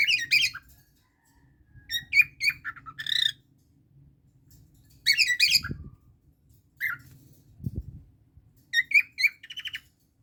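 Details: Indian ringneck parakeet kept as a pet, bonding with cockatiels; repeated bursts of harsh squawks and chattering chirps every one to two seconds, with quieter gaps, some soft thumps and low household hum underneath.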